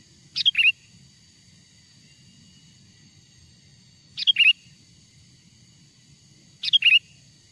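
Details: Lure song of a wild sooty-headed bulbul to bring wild bulbuls closer: three bubbly phrases at uneven intervals of about three seconds, each a rapid cluster of clear, slurred whistles; faint hum below.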